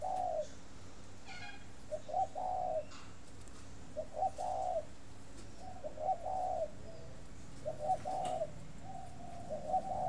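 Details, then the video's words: Captive spotted dove in Ba Vì, Hanoi, both breeding and singing khách coos: gentle low phrases spaced about every two seconds, each a brief note followed by a drawn-out coo, with faint clicks. "CHIM VỪA SINH SẢN VỪA KHÁCH"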